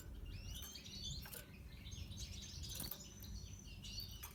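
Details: Red siskin of the natural pastel colour variety singing a quiet, busy twitter of high thin whistles and rapid trills, with sliding notes repeating over a constant low hum and a few sharp clicks.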